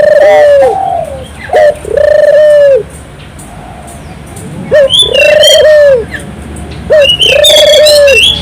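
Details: Turtle dove 'gacor' song played to encourage local doves to sing. Three sustained low hollow coos, each after a short note, about every 2.5 seconds, with twittering from other small birds.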